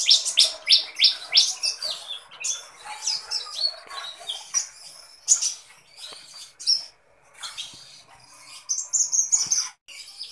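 Sunbird singing a busy, high-pitched run of sharp chirps, thin descending notes and quick twittering trills, about three notes a second with brief pauses.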